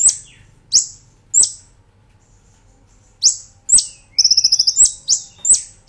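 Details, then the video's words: Brown-throated sunbird in a cage-bird training master recording, 'nembak ngerol' style: loud piercing rising whistles, a short pause, then a quick rolling high trill of about eight pulses before more sharp whistles. "Masteran Kolibri Ninja Gacor Nembak Ngerol"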